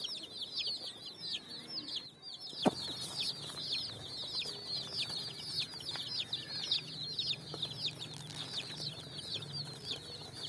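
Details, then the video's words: Many brightly coloured chicks jumping and running on sand while finding food in the evening: a steady chorus of shrill, descending peeps, broken by a sharp knock early on and a low hum. "Chicks Chirping"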